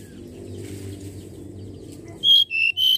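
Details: Common iora song used as a lure for other birds: low background rumble, then three loud clear whistled notes near the end, the middle one slightly lower.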